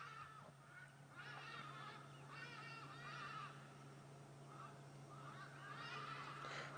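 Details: On a morning safari drive (18 Aug 2016), Hadeda ibises (Bostrychia hagedash) give loud, harsh, nasal honking calls in bursts of several notes, rising and falling, over a steady low vehicle engine hum.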